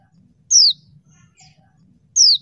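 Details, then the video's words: A female mountain white-eye, used as a lure to provoke quiet males into singing, gives two thin, very high notes sliding steeply downward about one and a half seconds apart, over a faint low hum. "pleci betina bikin jantan tambah edan"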